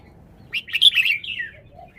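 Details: Caged red-whiskered bulbul singing to show its phrasing: one brief, loud phrase of bright tumbling whistles that slurs downward, then fades into a quieter low note.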